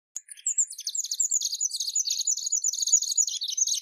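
A burnished-buff tanager sings a fast, high, chattering stream of thin twittering notes that runs on without pause; nothing else is heard.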